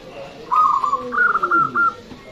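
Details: A single loud phrase from a local zebra dove kept to lure other birds: a low stuttered coo steps up into a higher run of rapid, evenly pulsed notes that ends with a longer held tone.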